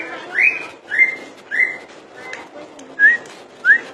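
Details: Common iora song: clear rising whistled notes, about six over four seconds, each a short upslurred whistle, spaced unevenly, with a faint noisy background.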